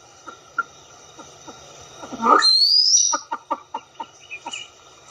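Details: A Southeast Asia pheasant gives scattered short notes, then a loud harsh burst with a thin rising whistle, followed by a quick string of clipped pulses repeated several times a second.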